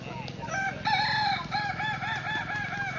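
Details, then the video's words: Crowing-contest entry in Solok city: a Kukuak Balenggek chicken tethered on a ground stake gives one drawn-out note, then a quick train of small arched syllables repeated evenly to the end, backed by a low hum. "perlombaan ayam kukuak balenggek dipancang tanah"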